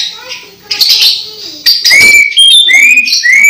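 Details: Singing orange-headed thrush close to moulting; varied whistled phrases including clear rising slurred notes and high sharp chips, with a short harsh burst in the middle.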